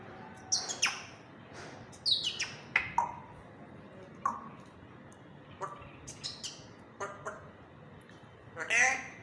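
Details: African grey parrot chattering in a happy mood. Quick chirps, clicks and short squawked syllables sound in bursts, ending with a louder harsh squawk.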